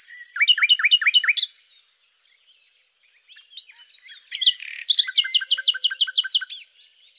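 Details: Common nightingale (Luscinia megarhynchos) song with a quick series of repeated sweeping notes, a quiet pause, then a loud rich burst and an evenly spaced run of sharp repeated notes.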